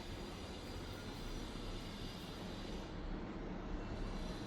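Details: Dense, even rumble of passing traffic or machinery fills the recording, with no animal voice.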